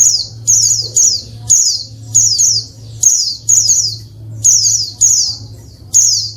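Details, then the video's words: Female Oriental white-eye calling to provoke lazy males into singing quickly, as in the wild: sharp, high, downward-sliding chirps in quick irregular bursts, about a dozen in six seconds, over a faint low hum. "SUARA PLECI BETINA RIBUT BIKIN JANTAN LANGSUNG NGALAS"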